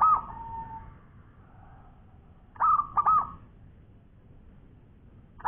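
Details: Gently cooing local zebra dove in active song: a held mellow note trailing off, then a pair of quick rolling coo phrases after a pause, with faint low background noise.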